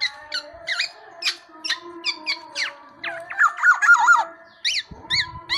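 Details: Tame black-naped oriole mixing sharp chirps with a rising run of whistled notes, set against a continuous background drone.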